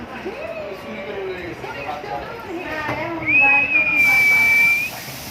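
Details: Pet cockatiel in Dhaka, Bangladesh, gives one loud, steady, high whistled note held for about a second and a half, after a stretch of people talking, with faint room and street noise behind.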